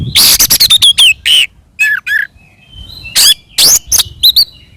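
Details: Aggressive Oriental magpie-robin song for goading other birds, opening with a fast stuttering run of loud harsh notes, then slurred whistles and a few sharp rising chirps after a short gap.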